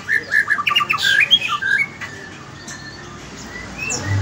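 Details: Morning song from a White-rumped shama: a fast burst of varied whistled and chattering notes for about two seconds, then quieter faint whistles.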